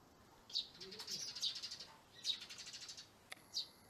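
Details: A pair of Eurasian tree sparrows, after their old nesting site was blocked, move into a homemade nest box; sharp, high chirps, four bright notes in under four seconds, linked by quick twittering.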